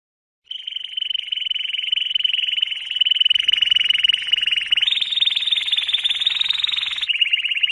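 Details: Canary sings a long, unbroken trill of rapid pulses, stepping up to a higher rolling trill and then dropping back toward the end.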